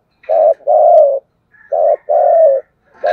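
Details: ['Continuous thúc gù cooing from a spotted dove, two short-long pairs of low, smooth coos with a brief pause between, and a third phrase starting at the end.']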